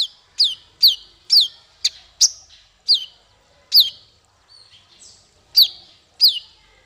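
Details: Singing male konin, used for tutoring songbirds: repeated sharp, high downslurred chips roughly every half second, steady and emphatic, with a brief softer twitter in the middle.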